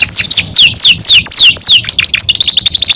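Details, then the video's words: Male Belgian canary kept as a cage bird singing: a series of loud downward-sweeping whistles, each about a quarter second long, followed by a rapid run of short high repeated notes. "canto do canario belga"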